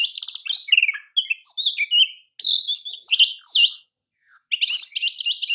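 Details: Oriental magpie-robin, a champion kacer for masteran use, singing rapid rattling notes, warbled whistles and harsh buzzy phrases almost without pause, one short silence before a last chattering burst.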